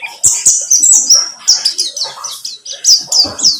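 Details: White-eye lure song, buxtomi type, intended to make a bird sing: fast, high, sharply falling chirps in a lively run, with a few lower, softer notes underneath.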